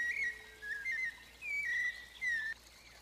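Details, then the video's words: Fluted 'flauteado' song of the white-necked thrush (Turdus albicollis) in Arapongas, Paraná, Brazil: pure whistled phrases that slide up and down, three in quick succession separated by short pauses, over a quiet background. "MELHOR CANTO SABIÁ COLEIRA FLAUTEADO, UMA PERFEIÇÃO !!!"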